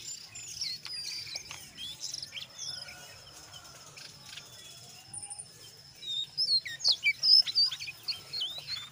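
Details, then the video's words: Jongkangan coklat singing gacor, ngeriwik with ngeplong, used as a lure for other jongkangan: scattered high twitters and thin whistles at first, then a loud run of rapid, sharp, looping chirps near the end. "SUARA BURUNG JONGKANGAN COKLAT NGERIWIK GACOR"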